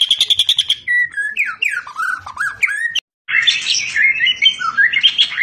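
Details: A murai batu, the white-rumped shama, shows its fighter singing style. A quick burst of repeated chips gives way to varied sliding whistles, then a brief break and a rich, warbled run of rising and falling phrases.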